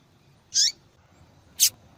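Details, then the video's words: Calling female double-collared seedeater, a call prized in female-call tournaments and used to stimulate males: two short, high, scratchy chirps about one second apart against a quiet background. "Fêmea de Papa capim Chamando Muito para Esquentar papacapim !"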